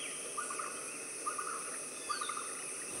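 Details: European bee-eater giving three short, liquid rolled calls spaced roughly a second apart, soft against a constant high-pitched background drone.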